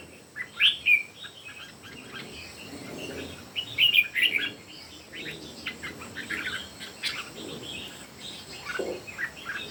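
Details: Red-whiskered bulbuls, three birds singing against each other in a contest, give a few loud chirpy warbled phrases at the start and middle, over a continuous busy background of softer chirps and insect-like buzzing.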